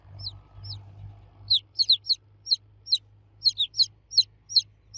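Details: Baby chicks calling loudly for the hen: after a quiet start with two soft peeps, a steady run of bright falling cheeps, some doubled, over low hum.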